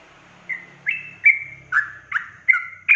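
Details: Sooty-headed bulbul song in ropel style, meant to provoke other bulbuls: crisp, slurred whistles about every third of a second, some with a downward twist, over a soft low background hum.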